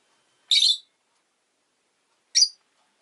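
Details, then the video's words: Two harsh, high, shrill chirps from a pet rosy-faced lovebird, spaced almost two seconds apart, with silence around them. "Lovebird Chirping Sounds"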